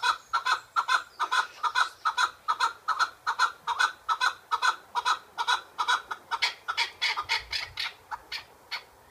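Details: Chukar partridge calling in a fast, steady series of harsh clucking notes, about two or more per second, repeated throughout without pause.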